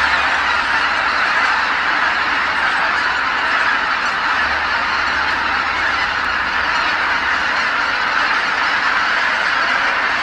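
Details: Returning at nightfall from their feeding grounds, tens of thousands of geese fill Kabukuri-numa marsh with calls; an unbroken clamour of overlapping honks for ten seconds, with a low hum in the first half.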